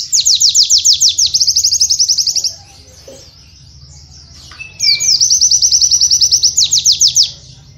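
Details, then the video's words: Cage-bird training song of a white-eye, delivered in tight canary-like volleys: two long runs of fast, high, evenly pulsed trills framing a quiet gap with a brief thin whistle. A low background hum is present. "Burung pleci bahan terbaru nembak kenari rapat mudah masuk untuk pleci bahan"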